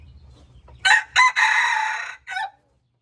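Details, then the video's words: Red junglefowl crowing: two short harsh opening bursts, then a long, loud, buzzy drawn-out note of about a second, ending in a brief lower closing syllable. A low hum sounds before the crow, and silence follows it. "Mix red junglefowl qaib dib qaib qus txuam txoov"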